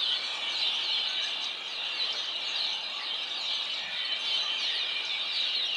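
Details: Many red-winged blackbirds in a flock sing at once: a continuous high-pitched, hissing chorus of squeals and chatter, evenly loud from start to finish with no quiet breaks.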